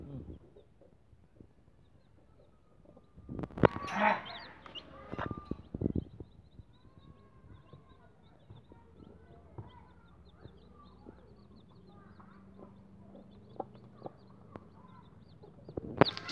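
Day-old game fowl chicks give soft, short peeps in a loose scatter, with handling noises early on.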